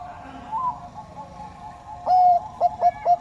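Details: Bangkok zebra dove: after a quiet start, one longer coo and then three quick, clipped cooing notes.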